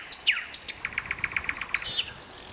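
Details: A nightingale in Vologda, Russia, sings a few sharp downward slurs followed by a rapid, even series of clipped notes, ending in a brief buzzy flourish.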